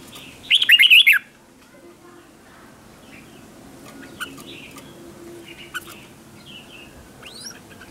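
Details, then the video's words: Red-whiskered bulbul used as a lure for other bulbuls: a single short, bright warbled phrase of swooping whistles early on, then only faint scattered chirps and clicks over low background hum. "Tiếng chào mào mồi gọi là đến, Chào mào mồi gọi bổi không tạp âm"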